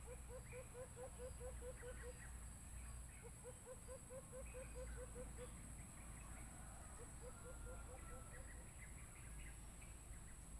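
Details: Bluetooth speaker playback of a white-eared brown dove during a bird hunt: three separate bursts of rapid, low hooting notes, each about eight to ten notes long, over constant low engine-like rumble.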